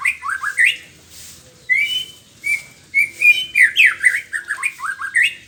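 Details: Morning song of a white-rumped shama: clear whistled notes and upslurred phrases, a few sustained flat whistles, then a fast sequence of sweeping, descending and rising notes repeated in lively succession.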